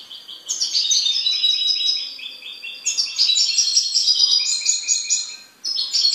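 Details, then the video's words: Continuous, rich song from a goldfinch kept as a pet: rapid tinkling twitters and rolling trills run on almost without a break, with one brief gap near the end. "MI JILGUERO"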